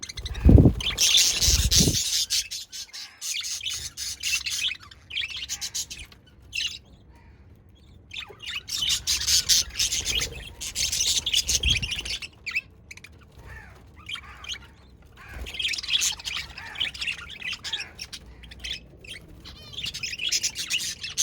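Budgerigars chatter in bursts of fast, scratchy warbles and high chirps, pausing briefly between outbursts.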